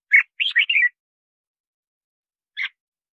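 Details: Red-whiskered bulbul song used in luring and voice training: a strong chip followed by a fast rolling run of whistled notes, then after a pause a lone single note.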